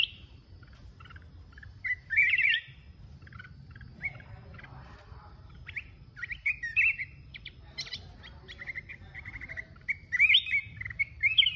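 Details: Mountain-type red-whiskered bulbul singing solo: short bright chirps and warbled phrases, some rising and falling, in scattered bursts with pauses between them, over a low steady background hum.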